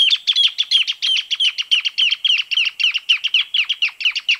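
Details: Greater Thornbird (Phacellodomus ruber, espinero grande), one of Argentina's common birds, gives a loud, rapid chattering song of about five sharp, high notes a second, kept up steadily without pause; no other sounds.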